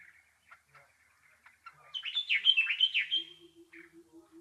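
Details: Soft, scattered chirps build into a loud, fast, warbling nightingale phrase of rapid sweeping notes lasting about a second and a half. Quieter notes and a low hum follow.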